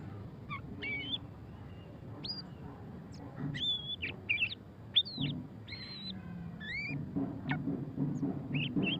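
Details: Ngeriwik-style song of a white-rumped shama, murai batu pastol: separate high whistled notes and short curling phrases spaced through the stretch, with low background rumble.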